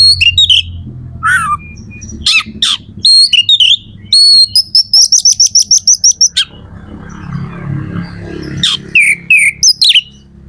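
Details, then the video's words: Singing magpie-robin, locally kacer, whose song is played to excite other birds into song; varied whistles and slurs, then a fast even series of about a dozen repeated high chips, followed by more descending whistles over faint noise. "Suara kacer gacor"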